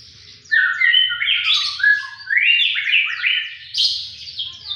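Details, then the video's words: Energetic song of a white-rumped shama, sharp in tone: after a brief quiet start, a dense stream of fluty whistles and quick up-slurred buzzy notes rolls on without a break, with a soft hum below. "burung murai batu gacor ngotot suara pedas"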